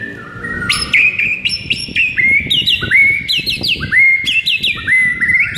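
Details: Morning training song of a white-rumped shama, used to rouse a silent caged bird: loud ringing whistles in quick varied phrases, with sharp upward flicks and held tones, steadily continuous over faint low background hum.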